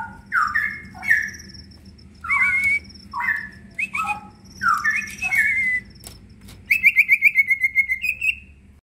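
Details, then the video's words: Caged leafbird (cicak ijo) singing a busy, energetic song style called full isian: slurred whistled phrases separated by short pauses, ending in a rapid run of sharp trilled notes, over a low background hum. "cicak ijo gacorr full isian"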